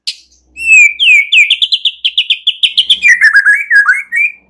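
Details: Night-time lure song of a white-rumped shama, meant to stimulate singing: a rapid series of bright, repeated whistled notes, about a dozen in quick succession, dropping into lower warbling whistles at the end.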